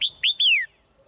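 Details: Brief morning phrase from a swallow: a high chirp, a second chirp, then a longer whistle sweeping downward, all crisp and loud against near silence.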